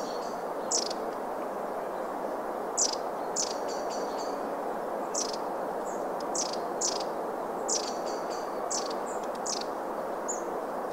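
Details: Long-tailed tits in winter in the town of Vannes, Brittany, in December 2022, around food. They give thin, very high 'see-see-see' notes and short sharp calls in scattered bursts over steady town traffic rumble.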